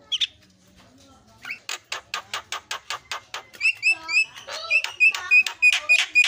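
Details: Javan myna lure song to set quiet birds singing quickly: after a brief note and near silence, a steady train of sharp clicks speeds up into bright ringing whistles with an upward flourish near the end.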